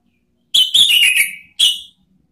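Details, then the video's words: Orange-headed thrush song used to lure and provoke rivals: a rapid run of loud rich whistled notes slurring downward, then one short separate whistle after a brief gap. "SIULAN ampuh ANIS MERAH MEMANGGIL LAWAN ¦ PANCINGAN NGEPLONG"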